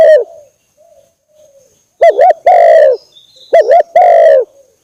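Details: Lure call of a spotted dove for attracting birds, loud and low: a short coo, quiet pause, then a wavering double note and a long drawn coo, the phrase given twice.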